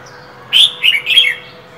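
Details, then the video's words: Caged female than songbird in cold winter, calling with open beak: three loud, high, slightly harsh chirps in quick succession, each with a buzzy falling tail, against a low steady hum. "Than mái khè, rít liên tục, kích trống mở mỏ giữa mùa đông giá rét!"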